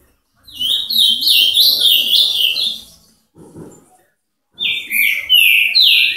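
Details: Ultramarine grosbeak singing in the Paraná style: a sustained stream of quick, high, down-slurred whistled notes for over two seconds, a short quiet gap with faint noise, then another loud run of clear falling whistles.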